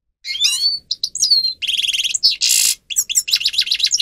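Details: Grey-crowned goldfinch song for training captive birds. Clear whistled slurs open the phrase, followed by stuttering buzzy rattles, a long harsh rasp, and a rhythmic series of repeated rising chirps.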